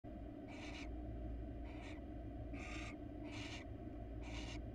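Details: Wild barn owl in a monitored nest box, where a male grabs a rat and is reluctant to hand it to the female; five short, harsh, breathy hisses spaced roughly once a second over a steady low electrical hum.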